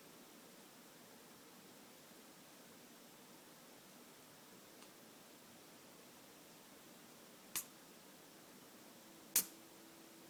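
An Eclectus parrot gives two sharp, sudden sneezes about two seconds apart, breaking an otherwise quiet room hush.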